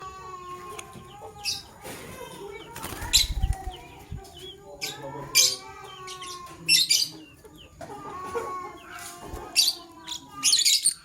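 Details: Male lovebird choosing a partner, giving harsh, buzzy high chirps in short bursts every second or two. Lower tonal calls from other birds and a steady background hum run underneath.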